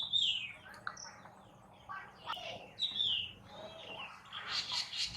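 Black Drongo giving harsh, high, slurred calls in short bursts, with a sharp descending note repeated twice, over faint background chatter.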